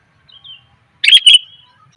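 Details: Female sooty-headed bulbul calling to attract males, a lure recording: faint thin notes, then one loud burst of bright, chirpy notes lasting under half a second.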